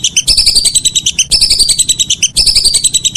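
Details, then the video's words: Continuous whistling duck calls at evening, three unbroken runs of rapid, piping whistled notes, each about a second long, following one another with no gap. "Suara burung belibis sore hari"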